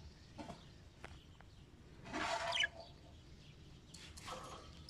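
A cockatoo gives a harsh, raspy bark-like burst, followed by a shorter rough call.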